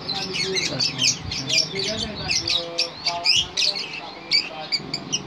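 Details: Lovebird delivering a long trilling ngekek song, a dense stream of fast high chirps and squeaky warbled notes with short pauses between bursts; low murmuring sounds run underneath.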